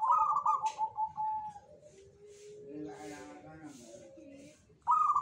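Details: Jogoboyo-style song of a local zebra dove, said to bring good fortune: a loud trilled coo opening, then a run of lower, softer coos, and another bright burst right at the end.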